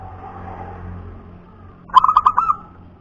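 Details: A local wild-type zebra dove (perkutut punden) delivers a single short phrase of fast, stuttering, bubbling coo notes after a stretch of low background hum.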